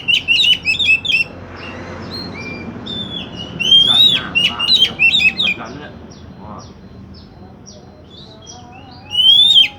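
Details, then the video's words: Oriental magpie-robin song used to prompt another magpie-robin to sing: rapid varied phrases of whistles, chirps and harsh chatters, several seconds of bursts, a quieter stretch, then a bright rising whistled phrase. "Pancingan kacer macet bunyi"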